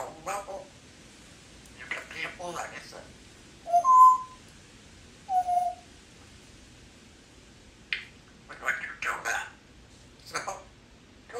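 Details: A 3-year-old female Congo African grey parrot is kept as a pet in a country home. Scattered chattering syllables surround two clear, pure whistled notes, one rising sharply. Other soft noises are heard in the room.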